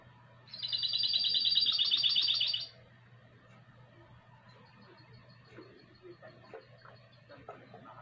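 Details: Goldfinch × canary hybrid singing in the classic style in 2020 delivers one loud, rapid, tinkling trill of about two seconds, followed by soft, faint twitters and low background hum.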